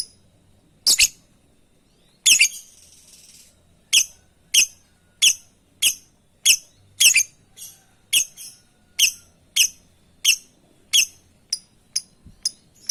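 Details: Calling lovebird seeking companions, giving a long steady series of short shrill squeaky chirps, roughly two per second, after a few louder harsh squawks at the start; quiet room background.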